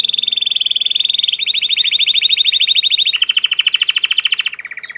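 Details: Song of a domestic Belgian canary: an unbroken run of rapid rolling trills, roughly ten notes a second, shifting pitch in distinct steps.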